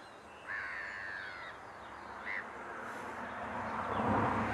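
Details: Lesser black-backed gull recorded at Lingham Lake, 14 March 2015, using a Lumix GX7 with Swarovski optics: one long, drawn-out nasal wail followed by a short clipped note, then a swelling low rumble of wind or traffic.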